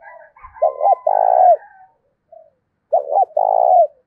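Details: Decoy spotted dove with a deep 'thổ' style voice, calling to provoke other doves to coo. Two close phrases, each a short doubled note and then a long, level, mellow coo, with a faint higher note before the first.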